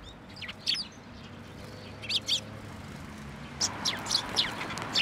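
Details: Sparrows collecting at a shrine post to be fed, New Year's Day 2024: scattered pairs of thin, high chirps, then a denser cluster of quick tweets near the end, over faint low rumble.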